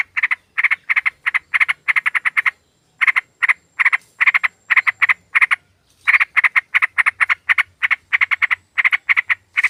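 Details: Lure recording of a female sooty-headed bulbul calling a male: continuous series of harsh, rattling double and triple chatter notes repeated several times a second, with two short breaks and a faint low hum beneath.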